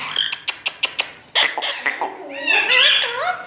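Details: Indian ringneck parakeet, green, talking in Urdu-Hindi with the phrase "main mithu": a string of quick sharp clicks, then a louder burst of wavering, whistled and warbly mimicked speech.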